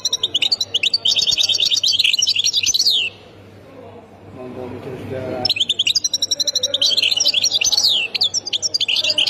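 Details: A European goldfinch from Khemis Miliana, Ain Defla, Algeria, delivers a fast, dense, high-pitched twittering song with sharp trills. The song breaks off briefly while a human voice is heard, then resumes.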